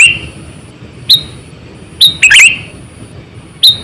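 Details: Sooty-headed bulbul, a decoy bird about 8 to 9 years old used for luring wild bulbuls, giving short sharp chirps and one bubbly multi-note phrase at irregular intervals, over a faint steady high whine.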